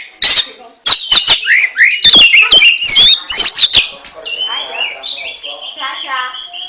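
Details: An oriental magpie-robin sings ngentrok style: fast twisting whistles and sharp ticks for about four seconds, then a softer, steadier warbled phrase with repeated notes.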